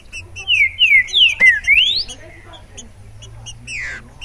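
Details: Green-winged saltator (Saltator similis), loose rather than caged, delivers a strong phrase of five or six clear whistled slurs, falling then a final rising sweep, followed by quieter chirps and one last descending whistle; soft high twitters persist throughout.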